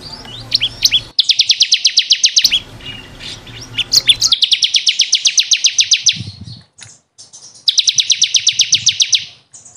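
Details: Caged bar-winged prinia (ciblek kristal) in a training recording for songbirds: three long, fast trills of high repeated downslurred notes, with brief chirps and a low thump between them.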